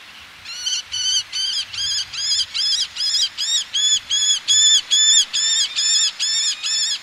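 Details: Eleonora's falcon colony by the sea: a male calls in a fast series of harsh, nasal, high-pitched notes, about two per second, while females call from ledges, with a faint low rumble of sea beneath.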